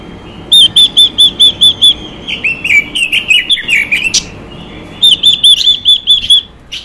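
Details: Female Chinese hwamei song used to stimulate males: seven arched whistles, a jumble of descending slurred and buzzy phrases, then another whistled run ending in a sharp note.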